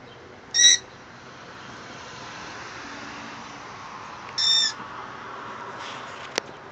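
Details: A 9-month-old pet Meyer's parrot gives two short, shrill screeches about four seconds apart, imitating a sun conure's call, over a quiet room hum with a faint click.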